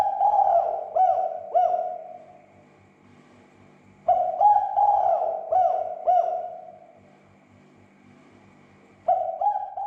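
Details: Spotted dove cooing meant to stir other doves into calling: three mellow, throaty phrases, each of several quick rising-falling notes, spaced roughly four to five seconds apart with quiet gaps between.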